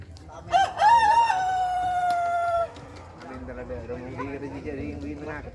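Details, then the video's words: Rooster crowing long and sharp, likened to a cricket; a wavering onset then a held even note of about two seconds, followed by quieter lower sounds. "suara ayam seperti suara jangkrik"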